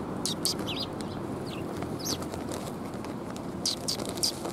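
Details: Sparrows arriving to be fed at Tenmangu shrine, 13 March 2021. Bright high chirps and short downslurred tweets come in scattered clusters throughout, over a constant low background hum.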